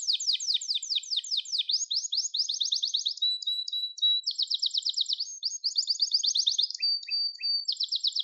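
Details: Continuous varied Gloster canary singing, with rapid rolling trills linked by sustained whistles and scattered chips, changing tempo every second or two, with no other noise.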